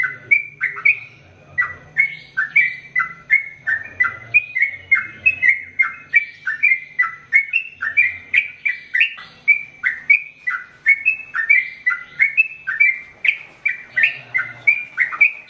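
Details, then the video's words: Long unbroken singing from a sooty-headed bulbul, used to tutor male and female birds: sprightly whistled phrases of rising and falling notes repeated about twice a second throughout, with an occasional soft low rumble. "Trucukan Gacor ROPEL PANJANG Untuk Masteran Burung Trucukan Jantan Dan Betina Biar ROPEL PANJANG"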